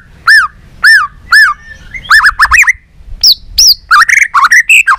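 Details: White-rumped shama in competitive song, many voices, tail flicking: three clear arched whistles spaced half a second apart, then quicker doubled whistles and a rolling mix of chirps.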